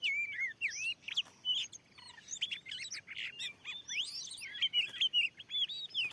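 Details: Oriental magpie-robin, a wild and very fierce bird facing a lure at a new field site; fast stream of bright whistled slurs, about two to three notes per second, varied and unbroken, over faint hiss.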